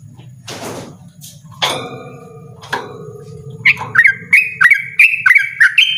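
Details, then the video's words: Yellow-vented bulbul with a loud, insistent ropel song: a few sharp knocks and rustling noises open, then quick rising whistled notes begin and repeat steadily through the second half. "burung trucukan ropel ngotot suara lantang"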